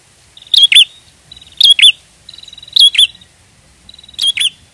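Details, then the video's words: Prinia lure song for trapping. Four phrases in under five seconds, each a rattling buzz running into two bright, sharp chirps, with a soft low murmur in the background. "Pancingan prenjak gacor ampuh pikat burung prenjak"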